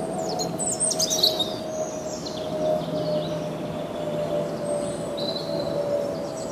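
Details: European robin perched and singing cheerfully in the Kennemerduinen dunes at Heemskerk, Netherlands: thin high warbled phrases with sliding whistles and trills, set against a steady low hum running throughout.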